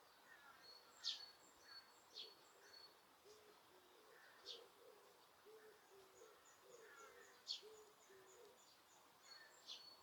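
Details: Osaka Castle Park birds, Japan, recorded in a quiet, empty park with noise reduction: faint low cooing phrases beneath scattered thin, high chirps and quick whistled notes.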